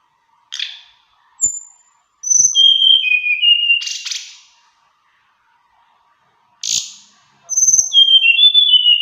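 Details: Mountain flowerpecker singing varied, melodious phrases: sharp high chips, thin whistles sliding downward, and buzzy trilled notes, in two bursts separated by a pause, with faint soft thumps.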